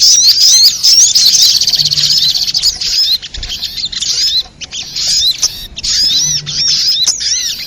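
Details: Trapping lure sound of sogok ontong, a sunbird: busy, high-pitched chatter of thin slurred notes and sharp clicks, in several bursts with brief quiet breaks.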